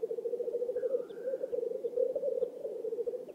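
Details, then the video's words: Black grouse displaying at a May lek in an Oulu swamp, Finland, 5 May 2022: rhythmic low bubbling cooing throughout, with a faint drawn-out hiss in the middle and a few tiny high ticks. "Black grouses lekking / la parade du Tétras-Lyre / Teeret soitimella"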